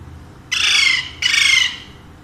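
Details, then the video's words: Two harsh, raspy squawks, each about half a second long and evenly spaced, from a pair of pet Alexandrine parakeets whose owner says they speak Urdu and Hindi; a quiet room behind. "My Two Sweet Alexandrine Parrots Talking in Urdu/Hindi"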